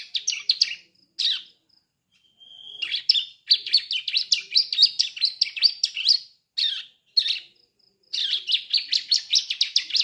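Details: A young bar-winged prinia that is just starting to learn to sing gives bursts of high, sharp chirps in quick runs of several notes a second, broken by short pauses; there are no other sounds.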